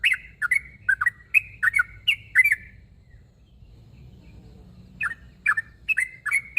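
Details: A sooty-headed bulbul calls to a rival: a lively chain of bubbly chirps with whistled tails for about three seconds, two seconds of quiet, then the chirping resumes.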